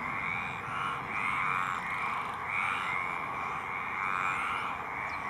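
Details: A male Baillon's crake at Poça da Amoreira gives a dry, frog-like rattle in rasping bursts about every second or two over a steady background hiss.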